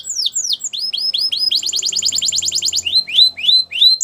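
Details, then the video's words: A Belgian canary performs a training song: sweeping falling whistles, a run of rising chirps, a brisk buzzy rattle, then evenly spaced upslurred whistles repeated about twice a second. "The Most Magical Canary Training Song | Belgian Canary"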